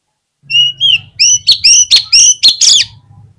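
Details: Oriental magpie-robin, a kept bird whose song serves to prompt rival magpie-robins to sing: two clear whistles followed by a loud run of sharp, repeated ringing notes, with a low hum beneath.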